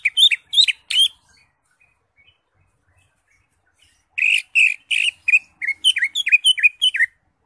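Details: Vigorous ngentrok-style singing by a greater green leafbird with rich fill phrases: a burst of loud chirps, a near-silent pause of three seconds, then a fast rattling series of bright, rising and falling chirps.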